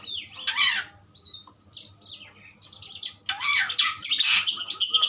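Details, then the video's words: Powerful Asian pied starling song with harsh squawking bursts, scattered whistles and a loud, rough chattering finish. "jalak suren pastol ampuh"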